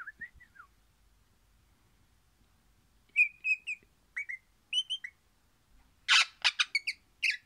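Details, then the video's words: Singing happily, an orange crimson rosella starts with a soft falling whistle, then several bright, brief whistled notes after a pause. It ends in a burst of harsh, scratchy chatter mixed with whistles. "Pennant Orange happy singing Parrot"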